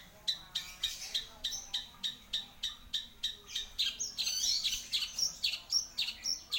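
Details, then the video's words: Long-tailed shrike calling actively with short, high chirps repeated steadily about three per second, followed by a brief burst of varied, excited twittering. "Burung Cendet Nggacor"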